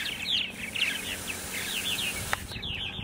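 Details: Purple martins on Long Island, New York, Center Moriches, morning of 14 April 2012: rapid, overlapping croaky chirps and gurgles from a group, with a single sharp click near the end.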